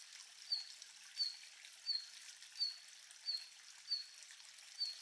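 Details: Red-flanked bluetail (Tarsiger cyanurus) in Japan in winter 2022 gives its ground call, a thin, high, slightly falling note seven times, roughly every two-thirds of a second, over a steady hiss of running water.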